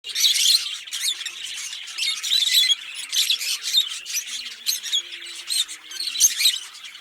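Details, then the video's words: Pair of green Fischer's lovebirds singing and chirping: dense, shrill, high squeaky chatter in rapid overlapping bursts, continuous throughout with brief louder peaks. "Lovebird Singing & Chirping Sounds - Green Fischer Pair"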